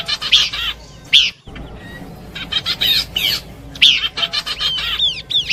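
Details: Horsfield's babbler song from a combination lure recording: bright, sharp chirps in quick clusters, fast buzzy trills, and a string of descending arched whistles toward the end, with a sudden cut early on.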